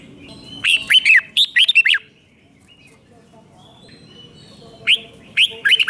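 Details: Bright five-syllable 'double 2, double 3' phrases from a Thai red-whiskered bulbul, used to tutor young birds: a run of sharp, swooping whistles at the start and another starting near the end after a quiet gap.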